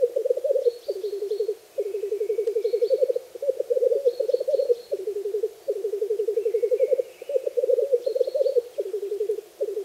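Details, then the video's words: Black grouse (Lyrurus tetrix) lekking on a frosty bog on a spring morning give a continuous low, bubbling, dove-like rookooing in long rolling phrases as a mating display call, with faint high chirps from other small birds. "black GROUSE call and displaying"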